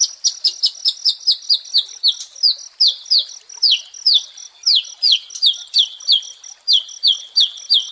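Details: Song of a White-rumped shama, played to lift a stressed shama's fighting spirit: high, sharp, down-slurred notes repeated over and over in an even stream of about three per second.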